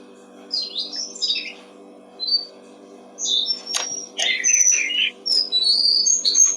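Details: Brown-streaked flycatcher song played to train songbirds: scattered high, thin chirps at first, then denser buzzy twitters and sharp whistled notes in quick succession, with a steady low hum behind.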